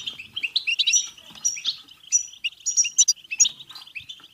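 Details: European goldfinch; song; stimulating other goldfinches to sing and mate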